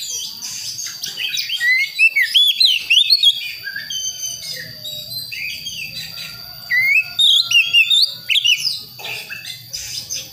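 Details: Young wild Priangan white-rumped shama from West Java learning song: two bursts of loud, fluting whistles that zigzag up and down, separated by softer twittering and a faint steady tone.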